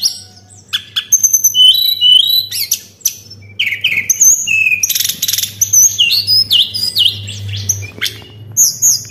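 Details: White-browed shortwing song used to lure birds, a long jumble of high whistles, sharp downslurred notes and dense buzzy trills, with a steady low hum in the background.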